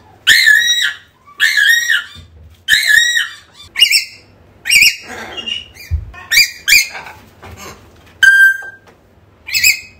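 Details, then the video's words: African grey parrot calling to bring a lost bird back: harsh harmonic calls repeated about every second and a half, followed by scattered chirps and a short clear whistle. "AFRICAN GREY SOUNDS CALLING"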